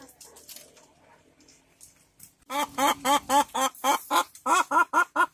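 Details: Hen searching for a comfortable spot to lay an egg: after a quiet start with faint noises, a run of loud, regular clucks with rising-falling inflection, about two per second, fills the second half.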